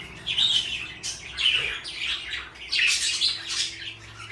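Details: Pet parakeets, one blue and one light yellow, keep up nearly continuous high, scratchy chatter with warbled whistles mixed in, rising and falling in loudness in waves.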